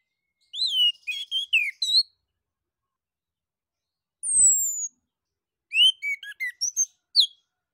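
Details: Orange-headed thrush (anis kembang), a Southeast Asian forest songbird, singing in the 'ngeplong' style as a lure to prompt other birds to sing: two bursts of rapid, varied warbled and chirpy phrases, separated by a single thin, high, descending whistle.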